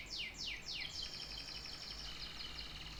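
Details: Canary song opening with three quick steep downward sweeps, then a long buzzy, rapidly pulsed trill held steady at high pitch to the end; light background hiss.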